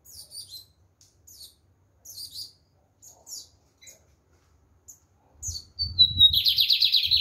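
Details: Lined seedeater singing firmly: a few scattered high chips and short sharp notes, then a song opening with a whistled note that slides down into a fast buzzy trill near the end.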